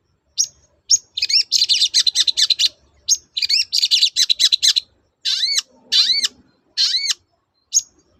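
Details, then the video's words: Actively singing long-tailed shrike, its 'toet-toet' song played to coax quiet shrikes back into song; rapid scratchy chatter phrases broken by short gaps, then three or four separate slurred, arched whistles. "BURUNG CENDET GACOR TOET-TOET, memancing cendet macet kembali gaco"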